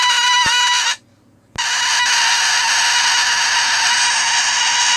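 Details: Pet cockatoo, grumpy at bedtime on a Friday night, letting out loud harsh sustained screeches, one broken by a brief pause before resuming in a long continuous rasping blare.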